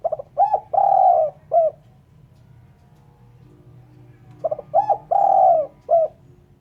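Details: Spotted dove call, recorded clean for luring birds; two phrases each of quick short coos, a long drawn-out mellow coo and a closing short coo, about four seconds apart.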